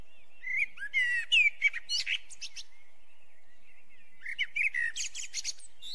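Eurasian blackbird singing two phrases, each a low fluty warble breaking into a high, squeaky twitter, with a pause of about two seconds between them.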